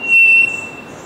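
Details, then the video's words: Three-wattled bellbird gives a single loud, pure, metallic bell-like whistle held steady for about half a second, then trailing off against a soft background hiss. "Three wattled Bellbird call."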